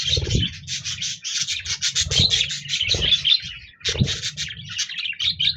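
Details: Several budgerigars recorded on 26 January 2024 keep up a dense, fast warbling chatter of high chirps and buzzy notes with no pauses, while low thumps and rubbing knocks sound underneath.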